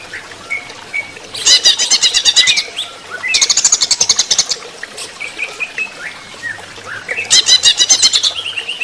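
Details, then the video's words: Greater green leafbird singing while given running-water therapy, alternating loud rapid rattling trills with softer slurred and rising whistled notes over several phrases. "terapi air mengalir untuk cucak ijo"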